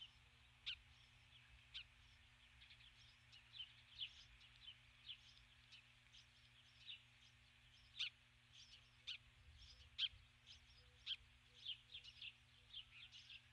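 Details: Female osprey on her nest at dusk, 21 July 2015, calling for her mate who never arrives after she lands with a stick; thin, faint, high chirps repeated roughly once a second over a steady low hum.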